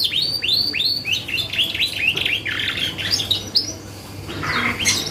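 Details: Lure song of a canary for drawing replies from other birds: opens with a series of curved whistled sweeps, moves into buzzy rattling phrases, notes coming about four per second over a faint hum.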